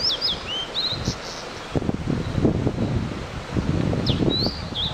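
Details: Blue-and-white flycatcher singing at length in early morning above a mountain stream near a highland, recorded in 2014 through a digiscope: clear high whistled phrases with slurred notes at start and end, with low rumbling gusts and rustling between them.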